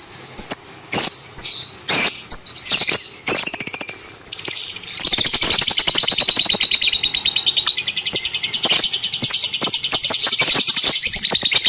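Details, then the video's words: Kept lovebird calling: spaced shrill chirps and squeaks, then a long rapid chattering trill of high buzzy notes that runs to the end. "KiCAU BURUNG LOVEBIRD"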